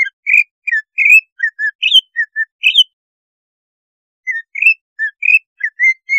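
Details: Cucak ijo song aimed at triggering breeding condition: bursts of varied whistled slurs and short descending notes, a pause of over a second, then another varied phrase.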